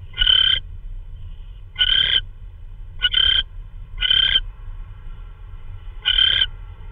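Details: Owl at night, 3:12 AM on March 16, 2013, delivering prey that is hard to identify, possibly a vole; five harsh, raspy hissing bursts, each about a third of a second, repeated at irregular one-to-two-second gaps over a low rumbling background.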